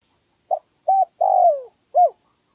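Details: Wild spotted dove with a medium-pitched 'one kuk' cooing style, used to lure birds: a short clipped note, a fuller coo, a long drawn-out falling coo, then a final short coo, in silence.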